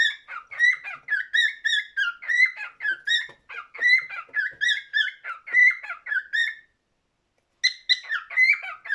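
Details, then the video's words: Cockatiel singing indoors: a run of warbled, whistled notes with harmonics, rising and falling in short phrases, a pause of about a second, then more chattering whistles. "Best Cockatiel singing"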